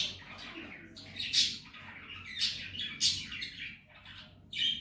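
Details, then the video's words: Pet male ringneck parrot talking: soft raspy syllables and brief bright chirps, spaced roughly a second apart, fairly quiet against a low indoor hum. "Talking parrot real voice, and saying Mitthu bete || Miya Mithu"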